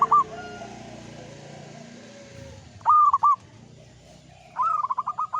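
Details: Zebra dove of a local Indonesian strain, singing lively manggung song: an opening coo, a short double phrase, then a fast, staccato run of coos. Quiet low hum and distant cooing underneath.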